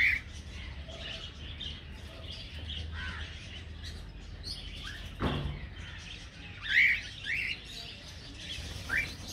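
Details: In an aviary budgerigar colony, scattered squeaky chirps and rising warbled notes sound over quiet chatter, with a sharp knock around the middle and louder bursts near the end.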